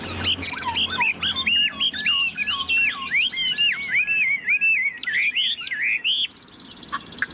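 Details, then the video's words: Caged Chinese hwamei, tame and singing high with its tail fanned, pouring out a long run of sharply slurred whistles, each rising then dropping, repeated rapidly for about six seconds before falling quiet. "Họa mi thuần sách lồng hót, đuôi xòe, ngũ trường hót cao cầu"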